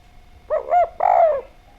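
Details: Javan spotted dove singing clearly and vigorously: a short phrase of two quick hollow coos followed by a longer, drawn-out falling coo, over a faint steady hum.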